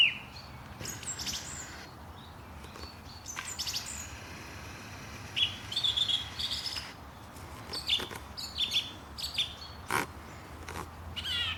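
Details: Wild birds chirping in the morning at Langley Park, Durham: bright, high twittering notes and short whistled phrases in scattered bursts, some sharp clicks, over a steady low background hum.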